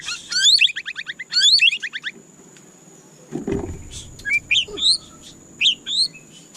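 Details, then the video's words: White-rumped shama (murai batu) kept in a cage: quick bursts of high, rapid descending notes, a low thump, then spaced sharp rising whistles; a faint hiss persists. "Dengarkan suara candu Murai Batu ini seketika murai Anda langsung GACOR"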